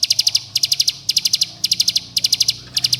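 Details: Bar-winged prinia calling companions and provoking rivals, used to coax young birds into singing. Crisp bursts of five fast, high ticking notes, repeated in a steady pulse about every half second.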